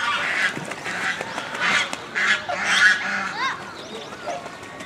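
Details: Honking of a swan goose kept at Inokashira Park Zoo, Japan, autumn 2018; quick run of rough nasal honks, then short rising squeaky notes near the end.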